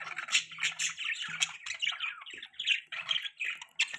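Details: Dense budgie chatter: fast, overlapping squeaks, buzzy notes and chirps in an unbroken jumble, with a faint low hum underneath at times.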